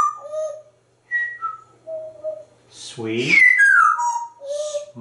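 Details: Pet African grey parrot indoors, talking about corn and food: varied short whistled notes at shifting pitches with brief pauses, then a voiced speech-like burst sliding into descending whistles.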